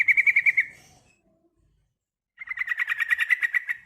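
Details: Female yellow-vented bulbul calls to a male with a short run of rapid harsh notes, then, after nearly two quiet seconds, a longer chattering series of about a dozen notes.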